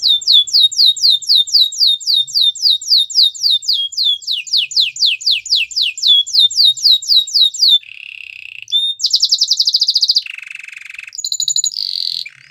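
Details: Training song of a canary: a long run of about thirty sharp downslurred notes, roughly four per second, followed by short trills jumping between high and low pitches.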